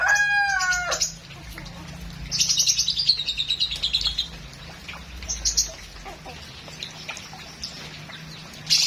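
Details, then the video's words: Lovebird singing in a full, rich song style: an opening second of harmonic, wavering notes, then a burst of shrill, high chirps in rapid series, followed by scattered sharp high notes over a low steady hum. "LOVEBIRD FULL MATERI MEWAH"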